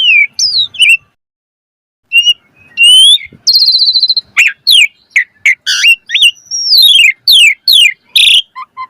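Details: Asian pied starling singing a 'mompa' song meant to lure. Scattered whistles, a pause, then a long high whistle and a rapid run of sharp sweeping notes ending in soft low whistles.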